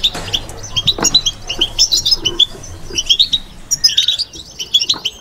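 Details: Kept European goldfinch in bitbita song, a soft babbling delivery of spaced clusters of high metallic twitters and chirps, with light background rustles.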